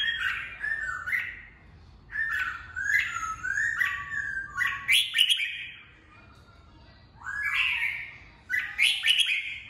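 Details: Red-whiskered bulbul singing, used to train fighting birds and bring out their voices: three bursts of rich, liquid warbled phrases with rising and falling whistled notes, separated by short pauses, with no other clear sounds.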